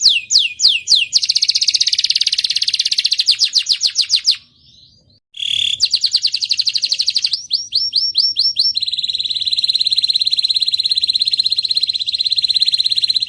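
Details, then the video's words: Young canary singing as a lure to get other canaries singing. Fast repeated whistled notes run into a dense rolling trill, pause briefly, resume with quick chopped notes, and end in a long steady trill. "PANCINGAN KENARI MUDA PECAH SUARA | KENARI GACOR | CANARY SINGING"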